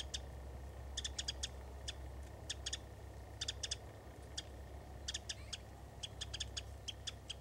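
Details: A Winter Wren at Hassayampa River Preserve on 11 February 2011 gives sharp, dry ticking notes in quick clusters of two to four about every second, over a low steady rumble.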